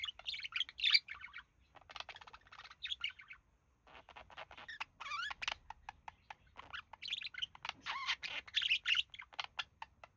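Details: A male budgerigar, kept with a mate and relaxing, mimicking human speech; loud bursts of raspy chatter and rising whistles mixed with clicking ticks, with a brief silent gap midway.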